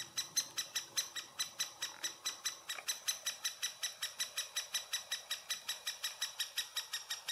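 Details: Great spotted woodpecker nest in Furuberget at Hamar, Norway, summer 2017, filmed handheld on a Panasonic Lumix FZ2000: rapid, steady train of sharp high chattering calls, about two to three per second, continuing throughout without pause.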